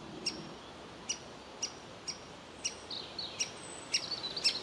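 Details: Young woodpecker in its nest hole, wanting feeding rather than leaving; evenly spaced sharp calls about twice a second, quickening into a thin, buzzy, wavering chatter at the end.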